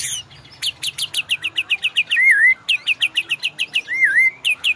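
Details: White-rumped shama training song used to provoke caged birds into ngorak: a fast, even run of sharp chipped notes with two rich, wavering whistled phrases dipping and rising in between.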